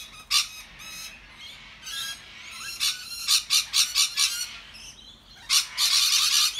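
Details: Australian rainbow lorikeets having a loud, happy group gathering, keeping up a harsh, grating chatter of screeches, with rapid overlapping bursts about twice a second and a dense shrill wash at the end.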